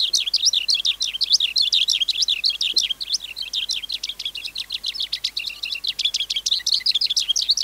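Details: Wild-caught skylark in song: a continuous, rapid stream of high-pitched chirps, trills and twittering notes that runs unbroken through the whole recording with shifting phrases, dense and lively, with no other clear sounds.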